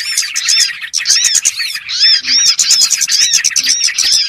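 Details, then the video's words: Trapping lure of small birds: rapid bursts of thin, high chirps and bright arched whistles overlap densely, with a brief break near one second. "SUARA PIKAT BURUNG BURCIL"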